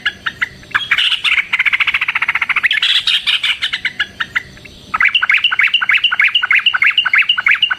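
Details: Yellow-vented bulbul giving a long fighting song used to spur other bulbuls into singing: a fast, dense run of bright chattering notes, then a string of sharp rhythmic bubbling phrases repeated several times a second.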